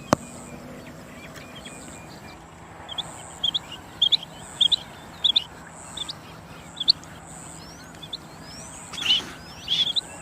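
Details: A rain quail repeats high, sharp doubled notes about every 0.6 seconds through the middle of the recording. Thin rising whistles, a sudden click and a constant high buzzing run in the background.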